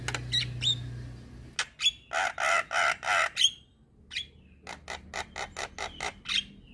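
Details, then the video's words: Javan myna chattering song used as a tutor recording for young mynas: harsh broadband squawks in a rapid series, then short sharp notes with rising whistled slurs, roughly three bursts per second, with a low hum beneath. "MAsteran Burung Jalak Muda Agar Cepat Gacor Mompa Dengan Ocehan Jalak kebo Mata Putih"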